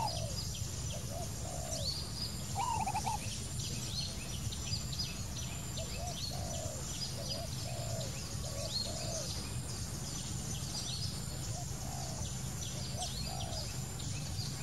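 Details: Wild spotted dove cooing over and over in soft, low phrases: brief hoots, then a longer sliding coo. Dense high twittering from other birds and constant low background noise fill the scene.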